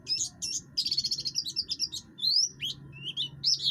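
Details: Buxtoni oriental white-eye singing hard with a rough, harsh voice meant to spur other birds to sing: a scratchy warbled phrase, then rising whistled sweeps and sharp chirps, over a low background hum.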